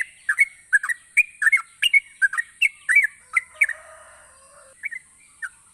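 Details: Yellow-vented bulbul in full gacor song, used to make lazy bulbuls sing more: quick runs of liquid, slurred chirps that trail into a soft low rasp, then a few scattered notes, over a faint persistent high hum.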